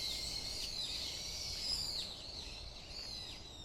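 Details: Birdsong at Iwashimizu Hachimangu shrine, a high, sustained whistled phrase at the start, then a series of short downward-arching chirps at about twice per second, over faint low background rumble.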